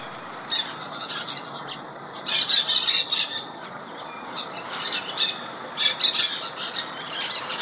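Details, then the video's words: In a colony of over 20 white-winged parakeets feeding and preening in a mango tree in Miami, Florida, several birds give overlapping harsh, grating screeches in short bursts, a second or two apart, over a faint steady hiss. "White-winged Parakeet"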